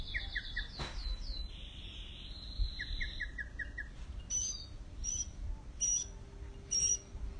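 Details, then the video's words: A mockingbird sings a varied medley: quick runs of slurred chirps, a long harsh buzzy note, then sharp high whistles repeated about once a second, over a low background rumble. "Mockingbird- Ruiseñor"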